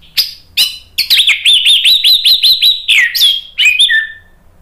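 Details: Orange-headed thrush singing to provoke other birds to sing: a fast, steady run of about a dozen repeated, looping whistled notes, ending with a few clear downward-sliding whistles.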